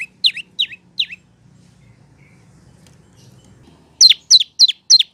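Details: Prinia, called prenjak lumut or lancur, recorded for training cage birds: three sharp, high, downslurred chips at the start, a quiet pause with low background rumble, then a fast run of four similar piercing notes.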